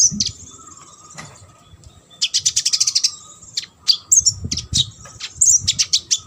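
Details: Competition-training recording of a sunbird singing: rapid rattling trills of high chips and sharp whistled notes in lively bursts, with faint low background noise.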